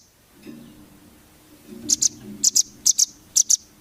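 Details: Velvet-fronted nuthatch (rambatan) training song for contest birds: after quiet low rumbling, four pairs of bright, high doubled chips come about every half second.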